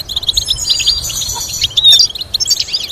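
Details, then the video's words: A goldfinch sings rapid, liquid twitters mixed with buzzy trills and brief clear whistles, all high-pitched and jumbled without pause. "Teaching goldfinch to sing complex stimulating melodies"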